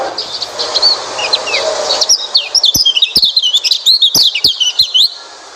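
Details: White-eye song meant to coax a silent white-eye into singing. Hissing background first, then a fast, high, chattering run of twisting chirps and whistles with crisp ticks over the last three seconds.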